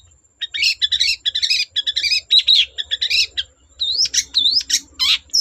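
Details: Long-tailed shrike singing energetically to spur untrained shrikes into song: a dense, fast jumble of high chattering, buzzy and whistled notes in quick bursts, ending in looping rising-and-falling whistles.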